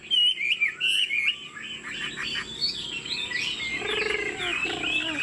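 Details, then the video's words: Chinese Hwamei in a cage, said to be 90% pure-bred, singing with head-nodding and a wing display. Looping whistled phrases slide up and down, later mixed with rougher, lower churring notes. "Họa mi thuần 90%, chơi cánh, hót gật gù múa lân"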